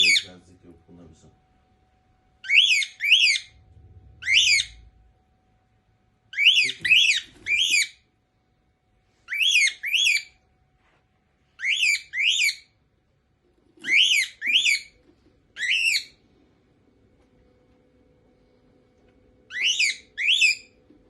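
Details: Cockatiels fighting over ownership of a house give sharp, rising whistled calls in short bursts of two or three, repeated every few seconds.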